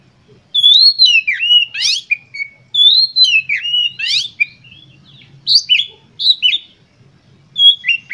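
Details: Oriental magpie-robin delivering a vigorous, emotional lure song meant to trigger other magpie-robins. Clear whistled notes slide down into buzzy trills, and phrases repeat in groups separated by short pauses.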